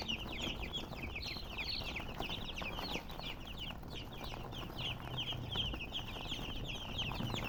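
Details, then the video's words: Chicken chirping: many quick, high, falling peeps crowd together in a constant chorus throughout, with noticeable low-frequency background rumble underneath. "silly chicken chirping sounds with murgi hen color chicken"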